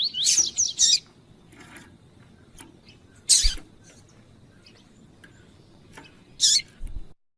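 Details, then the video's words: Kept double-collared seedeaters for tournament training, female calling to excite the male: a cluster of sharp, high chirped notes at the start, then isolated loud bursts every few seconds, with quiet background between. "Esquentar coleiro com Piado de fêmea de coleiro e coleiro tui tui cantando"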